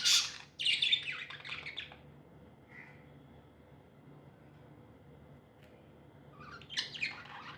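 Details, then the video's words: Happy pet budgerigars chirping: a two-second burst of scratchy, squeaky chatter and warbles, then a near-silent stretch with one soft short note and a faint hum, before another loud burst of chirps near the end. "Happy budgies chirping sounds"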